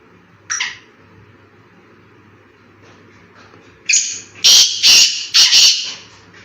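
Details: In a forest, a black francolin gives a faint short note, pauses, then delivers one loud call: a clear introductory note followed by three harsh, buzzy, rasping notes.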